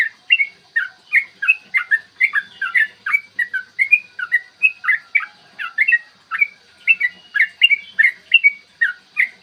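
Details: Continuous 'ropel' song from a yellow-vented bulbul, meant to stir birds to sing and fight: brisk, lively series of clear whistled notes, roughly three per second, varying in pitch throughout.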